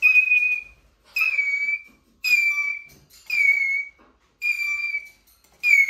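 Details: Eurasian jay squeaking plaintively: about six loud, sustained whistled squeals, each gently descending, repeated roughly once a second.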